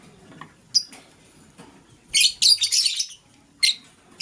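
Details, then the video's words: Green lovebird making harsh chirps in the morning while a blue lovebird scrambles for vegetables; a long grating, buzzy burst sits in the middle, with brief sharp chirps before and after. "Green LoveBird Chirping Sound"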